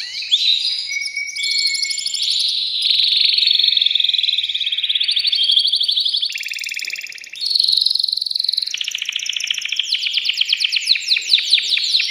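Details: Excited male canary singing to arouse a female for mating: an unbroken run of rolling trills, buzzy tours and long piercing notes, ending in fast repeated chirps.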